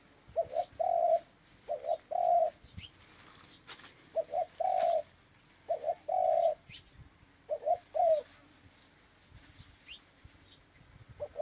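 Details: Series of dove coos, each a stuttered double note then a long, even coo, repeated at roughly two-second intervals, with thin high chirps from other birds and some knocking sounds.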